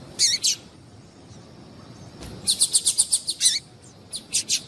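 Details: Female yellow-bellied seedeater (papa-capim) call, used to stir males into singing: two brief high chirps, a pause, then a rapid run of about ten sharp, high ticking notes followed by a few spaced chirps.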